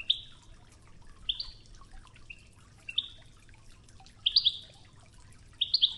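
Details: European goldfinch, Ouidane-style training song with river water: scattered short high chirps and twitters, singly and in quick pairs, irregularly spaced over several seconds against a steady murmur of running water.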